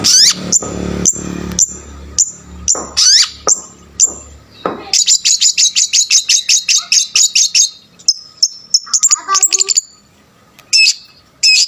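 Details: Long-tailed shrike in full, energetic song packed with varied phrases, used to provoke other shrikes; rapid series of high sharp whistles and chirps, then a fast run of repeated buzzy notes, then a few pure whistles after a pause.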